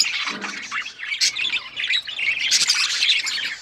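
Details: Pet budgerigars chirping and singing: a busy, continuous stream of high, squeaky chirps and warbled chatter with rapid overlapping notes, growing denser toward the end.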